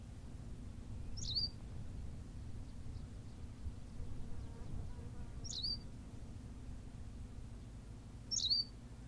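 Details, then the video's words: Berthelot's pipit on La Gomera, Canary Islands, uttering three short high-pitched chirped calls several seconds apart, with faint low rumbling and a soft murmur in the background. "berthelot's pipit - long version"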